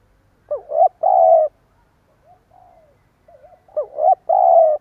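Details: Stuttering coo of a spotted dove used as a decoy bird in Vietnam: two bursts of low, wavering hoots ending in a long steady coo, about three seconds apart, with faint softer coos in the gap.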